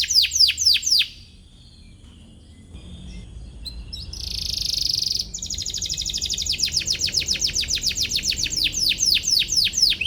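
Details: Atlantic canary song meant to provoke a rival and train young canaries: a short burst of sweeping chirps, a quiet pause, a brief harsh buzzy note, then a long rapid trill of high repeated notes.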